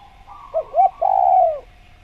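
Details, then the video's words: Tekukur, the spotted dove, heard in training audio meant to get birds calling: two short rising-falling coos lead into one long, smooth coo that slowly drops in pitch and fades. "Masteran Tekukur Biar Cepat Bunyi | Natural Jungle Dove Sound Effect"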